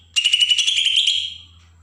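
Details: Agitated besetan phrase of a Bornean green leafbird from Kalimantan, used to stir up young birds: one rapid, harsh, pulsing rattle lasting about a second that fades away at the end.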